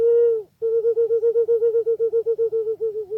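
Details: Pink-necked green pigeon opening with a sustained whistle, then breaking into a fast, regular chain of about twenty short, throbbing notes at the same pitch that waver slightly toward the end.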